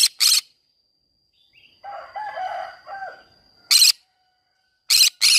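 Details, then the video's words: Green-cheeked conure singing in a flower garden: harsh, broadband screeches in short pairs at the start and end, with softer, lower, warbling chatter in between and a steady high tone throughout. "green cheek conure singing sounds"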